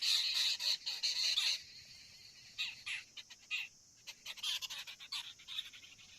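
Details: Common myna perched at its tree-hollow nest, holding a large green insect in its yellow beak while feeding young; loud harsh rasping bursts for the first second and a half, then a broken series of shorter scratchy notes over a faint high insect hum.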